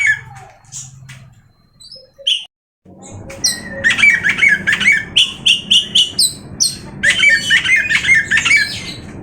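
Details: Oriental magpie-robin starting with scattered thin notes and a pause, then a rapid, rhythmic run of bright, repeated chattering whistles, more than two per second.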